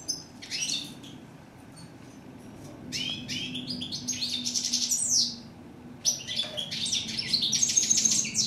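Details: A European goldfinch from Morocco sings in three quick bursts of bright, tinkling, high twitters mixed with buzzy notes, brief pauses separating the phrases, with a faint hum behind.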